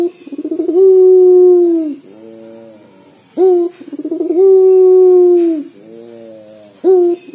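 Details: Crying-like dor coo of a local puter dove, two full phrases each made of a bright note, a rapid rolling tremolo, and a long steady coo that dips at the end. Soft humming fills the pauses, over a faint constant high whine.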